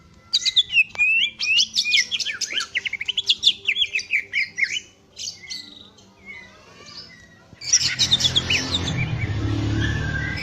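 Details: Greater green leafbird singing a fast run of high, sweeping, chattering notes for about five seconds, then softer notes, then a burst of harsh broadband noise near the end.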